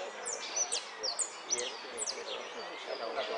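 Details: A hooded siskin competing in a song contest (Amarillo de Repique, Zona Norte, 17 November 2013) sings a fast, high twittering song of sharp down-slurred notes, several each second, over a low murmur of background noise.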